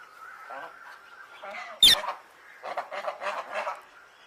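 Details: Single loud, raspy parrot squawk amid softer warbling, whining notes, followed by a series of rhythmic, husky chattering calls.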